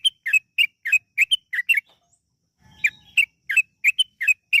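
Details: Yellow-vented bulbul in long, rapid, non-stop song, played as a lure to make other bulbuls sing: short bubbly two-note phrases, about a dozen in quick succession, broken by one brief pause midway.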